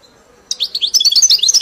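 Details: Tutored caged European goldfinch in the 'mili' style launches into a fast, bright twittering phrase of high, liquid chirps, closely packed and rising and falling quickly.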